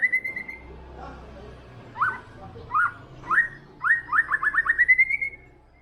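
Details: White-rumped shama (murai batu) in lively song: a long clear whistle, a pause, then spaced upslurred notes that speed up into a fast, rising, rattling trill.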